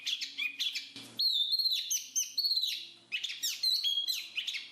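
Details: Bright chattering whistles from a black-capped babbler, with held high notes and short choppy chirps. A brief low thump sounds near the one-second mark.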